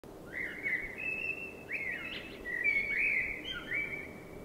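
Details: A common blackbird sings at night in spring, a continuous run of mellow whistled phrases, warbling and sliding in mid-high pitch over a quiet outdoor background.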